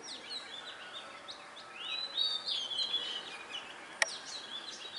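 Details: Wild Oriental magpie-robin song: scattered thin whistles, then a louder, drawn-out warbling whistled phrase in the middle, a single sharp click, and more brief notes over an even hiss.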